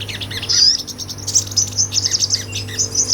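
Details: Sunbird singing ngobra, recorded for tutoring songbirds: a quick jumble of thin, high squeaky notes and short slurred chirps, rapid and uneven, over a steady low hum.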